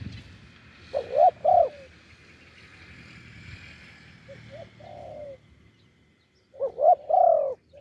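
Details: Wild spotted dove with a deep voice, lured to a branch by a decoy, sings off-beat coos: two short bursts of bubbling, rising-falling notes, then a long pause before another similar phrase. Soft rural background hiss.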